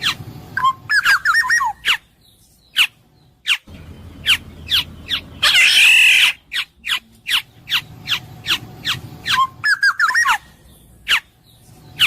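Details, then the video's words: Clear Black-naped oriole song: two bursts of mellow looping whistles around a loud harsh squawk, with repeated sharp downward chip notes filling the gaps. "suara burung kepodang emas jernih"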